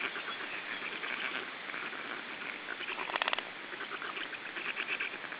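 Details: Black stork chicks in their third week of life being fed at the nest in Estonia on 14 June 2013: dense, rasping, hissing begging chatter with a brief rapid rattling burst midway, continuous throughout.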